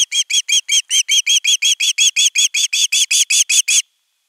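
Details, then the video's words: Osprey chick at nest camera 3, 10 August 2021, begging for fish before a whole fish is brought: about twenty loud, shrill, arched chirps in even rhythm, then abrupt silence. "Myy huutaa pitkään kalaa"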